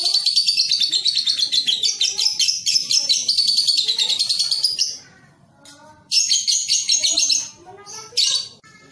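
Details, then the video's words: Young lovebird in a training recording meant to make it sing readily with long ngekek chatter: a rapid, buzzy, high chattering trill of fast repeated notes for about five seconds, a brief pause, then a second shorter burst. "TERAPI LOVEBIRD PAUD | CEPAT GACOR"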